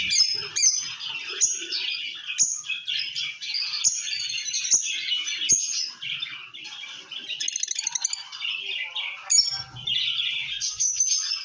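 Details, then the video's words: Lovebird singing and chirping: rapid bursts of high, squeaky chatter and sharp clicks, with loud tweets every second or two, a quick rattling trill near the middle, and a few faint low squawks. "Lovebird Singing & Chirping Sounds|লাভবার্ডের কিচিরমিচির শব্দ|love bird sound"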